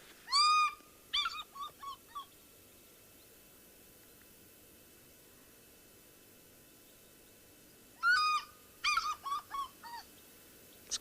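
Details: African fish eagle call played from a vehicle on a safari drive, its laughter-like ringing call in two bouts: a loud, high opening yelp, then three or four quicker, shorter yelps, about eight seconds apart.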